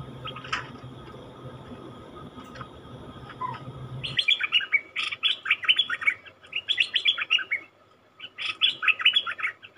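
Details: Wild-caught cream-vented bulbul in captivity: after a few seconds of low background rumble, a lively run of quick, chattering, bubbly notes begins, repeated in short bursts with brief pauses.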